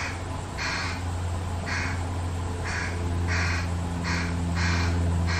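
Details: Fish crows from a family living behind a backyard, with their single fledgling fed by the parents, give short, harsh, nasal caws repeated roughly every half to one second over a steady low rumble like distant traffic.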